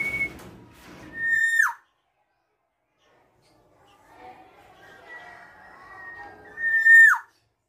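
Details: Tame black-naped oriole calling: two loud, nasal, downslurred whistled notes about five seconds apart, bright with ringing overtones, separated by faint murmuring background sounds.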